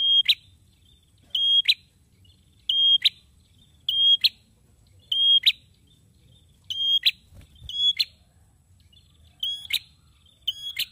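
A male prinia repeats loud, high, piercing two-note chirps in pairs about every one and a half seconds, with a quiet low hum underneath.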